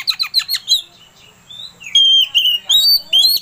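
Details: Oriental magpie-robin singing as a provoking lure: a quick run of chipping notes, a pause with a soft whistle, then loud sustained whistled notes in rapid succession.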